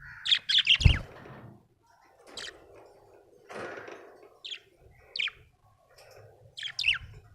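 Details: Happy budgerigar chirping: a fast run of bright chirps at the start, then single sharp, slightly descending chirps spaced about a second apart, with soft low rumbling between.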